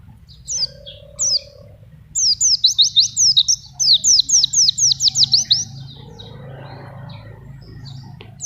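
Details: Pleci singing for masteran and trapping: a few scattered high notes, then a fast three-second cascade of sharp falling whistles, followed by quieter rustling and murmur.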